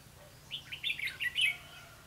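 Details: Red-whiskered bulbul serving as a lure bird for trapping, 4 November 2016: one rich, fast warbled phrase of five or six bubbly, up-and-down chirps lasting about a second, clear and loud.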